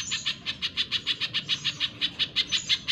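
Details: Spiderhunter (pijantung pisang) in energetic song on a cage-bird training recording: an unbroken run of loud, sharp chip notes, about five per second, very even in rhythm and pitch.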